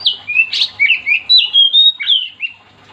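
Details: Energetic Oriental magpie-robin song used to set other magpie-robins singing; varied whistled phrases, rising and falling slurs and a harsh burst, delivered in quick succession with short gaps, over a faint low hum.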